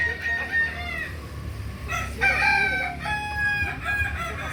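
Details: Kukuak Balenggek roosters crowing at a practice crowing contest in Ampang Kualo, Kota Solok, May 2024; layered, harmonic crows with wavering and stepped notes, and a strong second bout after two seconds, over crowd murmur and low rumble.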